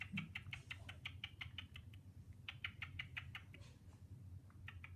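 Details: A male cockatiel chatters in rapid bursts of short, scratchy chirps, possibly talking to himself in a disco ball or trying to impress a female.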